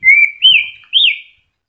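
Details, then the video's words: Moulting white-rumped shama, newly regrowing feathers, gives three clear, sweet whistles, each rising then gently falling, spaced about half a second apart in near silence. "MURAI MABUNG TETEP GACOR"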